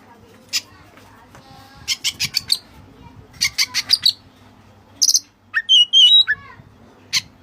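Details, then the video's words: White-breasted Oriental magpie-robin song with Cililin-style additions: bursts of rapid high clicking notes in short series, a pause, then loud rising and falling whistled slurs. "Burung Kacer Gacor Isian Cililin"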